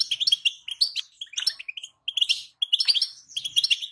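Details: European goldfinch female call, the bitbita, played so a male will sing. Short bursts of bright, tinkling chirps and twitters, with two brief silent gaps in the sequence.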